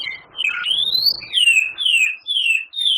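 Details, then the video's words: White-rumped shama, a champion singer using canary, cililin and lovebird imitations, pouring out a series of slurred, downward-sweeping whistles about every half second. "Suara Murai Batu Juara,Tembakan Murai Batu Gacor Full Isian Kasar Panjang Mewah"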